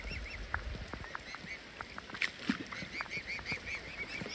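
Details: Cygnets begging near their parents give a steady run of high, thin, slightly rising peeps, several each second, with lower honking waterfowl calls and splashy background noise.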